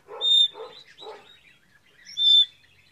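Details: Red-rumped parrot song, played to stimulate males and females to mate: two clear, high, sustained whistles, the first preceded by three quick bursts of husky chatter.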